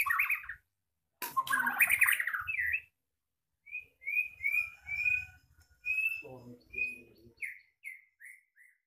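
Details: Moulting blorok white-rumped shama kept by a breeder, still singing in its roll speed nembak style. A harsh chattering burst comes first, then a series of short, bright, down-slurred whistles, spaced evenly, with a low rustling underneath.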